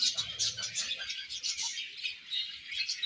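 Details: Chirping budgerigar colony, a steady mass of high overlapping chatter and twittering from many birds at once.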